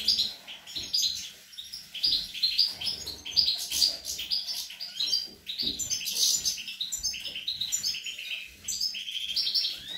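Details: Young European goldfinches in song on 25 April 2021, an unbroken rush of high liquid twitters, chirps and tinkling trills, rising and falling in loudness over ten seconds.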